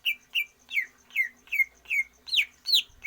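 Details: Greater green leafbird in a cage, trained for stamina and longer breath without free-flight exercise, sings eight loud, clear downslurred whistled notes, evenly spaced about every third of a second, the last ones higher and sharper.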